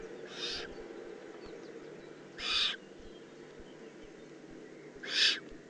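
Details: Juvenile Eurasian eagle-owl recorded in the Eifel on 18 June 2016, giving three harsh, breathy hissing rasps about two seconds apart, each short and broadband, over a quiet background hum.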